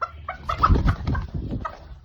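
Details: A pet hen on a farm, walked over and handled by her keeper, gives short clucking notes, a few soft, separate calls with low handling and rustling noise beneath.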